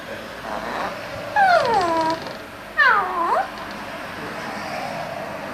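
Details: Five-year-old pet eclectus parrot, a talking bird that copies what it hears around the house, gives two loud, harmonic whistled calls sliding downward, about a second and a half apart, indoors with a faint steady hum.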